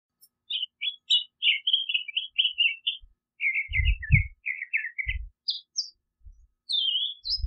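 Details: Singing California scrub jay giving a quick series of short, scratchy warbled notes in a loose, uneven string, ending in a few higher, sharper squeaks, with soft low bumps underneath.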